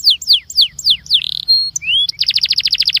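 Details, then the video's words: Belgian canary song in the incarte style for warming up canaries. A series of descending whistled slurs, a buzzy note and a pure steady tone, then a rising whistle leading into a quick pulsing trill. "INCARTE para esquentar canario belga"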